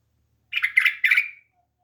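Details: Pet bulbul at home giving a scratchy three-part phrase of rapid notes about one second long, trailing off in a thin steady tone, in a quiet setting.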